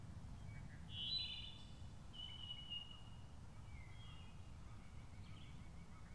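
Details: Wood thrush song at Lake Needwood on 6 May 2014: a few clear, fluty phrases, the loudest near the start, with softer ones after, steady low rumble underneath.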